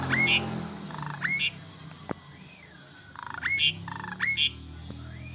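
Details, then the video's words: Asian pied starling singing energetically to rouse sick or stressed starlings: repeated rasping bursts each capped by a sharp rising squeak, plus a wavering whistle, over background hum. "Jalak Suren Gacor"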